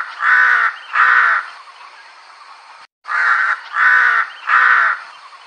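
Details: Crow, used as a hunting lure call to draw birds closer, gives harsh, drawn-out caws: two, then after a short pause three more, each about half a second long.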